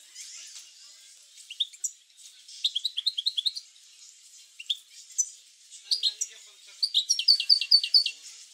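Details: European goldfinch song, played to stimulate goldfinches to sing: high, bright twittering notes in short scattered bursts, ending in a fast run of repeated liquid notes.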